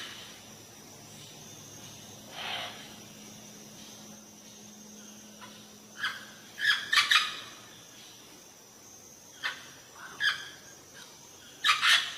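Harsh, raspy parrot screeches in short bursts, some single, some in quick clusters of two or three, over a quiet background with a faint low hum.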